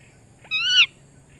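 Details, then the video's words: Pet parrot uttering one brief nasal call, steady then slightly rising and cut off, rich in stacked overtones, in a quiet room. "cute parrot real voice"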